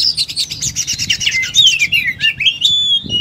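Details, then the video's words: Oriental magpie-robin in full fighting mode pouring out its learned repertoire: a rapid run of buzzy, rattling high notes slides downward into clear whistled phrases and a final sharp whistle, with a faint low hum underneath. "Kacer full tarung muntah materi"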